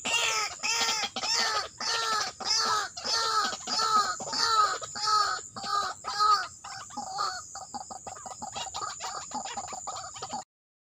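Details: White-breasted waterhen filmed during trapping: a rhythmic series of loud, arching, harmonic-rich calls, about two per second, growing fainter and looser toward the end, over a steady high insect hiss.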